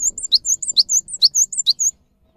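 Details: Gelatik batu (cinereous tit) singing gacor-style as a lure for silent caged birds: a fast, steady run of piercing high whistled notes, paired in quick chirping phrases, about a dozen within two seconds, then abrupt silence.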